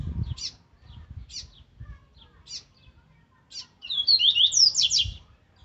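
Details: Caged rusty-collared seedeater singing an aggressive song in the Viviti Zel Zel style, used for training: short sharp chips spaced about a second apart, then a loud rapid phrase of bright whistled slurs and buzzy notes.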